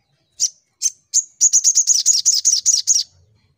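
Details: Sunbird in fighting mode: three separate high chips, then a fast, even run of about a dozen bright, sharp notes that stops abruptly. The background is otherwise quiet.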